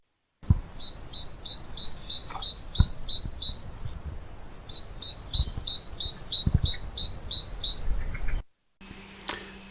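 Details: Great Tit song played back: bright two-note 'teacher, teacher' phrases repeated rapidly in two runs of about ten, high and clear, separated by a short pause, followed by a brief break and faint low hum.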